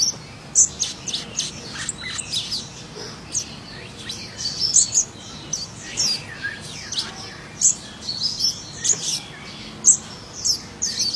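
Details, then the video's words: Scarlet minivet in the wild, singing actively: a dense run of thin, high chirps and sharp whistled notes, often several per second, with overlapping twittering throughout and faint background hiss. "sepah raja gacor"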